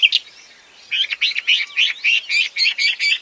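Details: Wambi singing in the wild: after a short opening note, a rapid chain of high, twittering chirps follows, each note bending and warbling, repeated about four times a second with little background noise.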